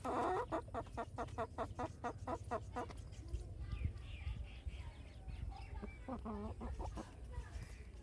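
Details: Farmyard chickens, baby chicks among them, give a fast steady run of clipped, throaty clucks for about three seconds, then a quieter lull and a brief second cluster of softer clucks against low background rumble.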